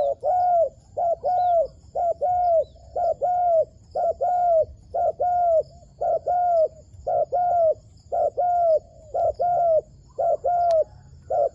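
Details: Wild dove in a trapping setting: steady mid-pitched cooing, each short note followed by a longer, slightly falling note, repeating about once a second with little background noise.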